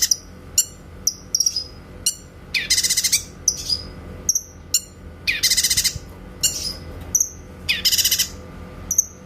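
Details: Training recording of a grey-cheeked bulbul, clear shooting notes for magpie-robins to learn. High thin whistles and abrupt upswept chips repeat, punctuated by three loud buzzy rattles, over a low background hum.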